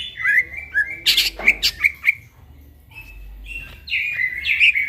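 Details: Greater green leafbird, a master song recorded at night: varied whistled slurs mixed with loud harsh bursts, a brief pause, then higher warbled phrases rising toward the end.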